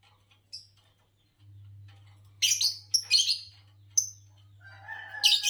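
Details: Green Fischer's lovebird chirping. Sparse sharp high chips lead into a run of harsh, scratchy chirps, ending in a louder burst mixed with a tonal warble, over a low hum.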